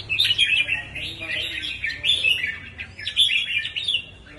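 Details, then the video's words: Red-whiskered bulbul song: lively, liquid chirped phrases repeated in bursts about every half second to second, clear and loud against a quiet background with faint low hum. "Chớp mào 3M/ chao"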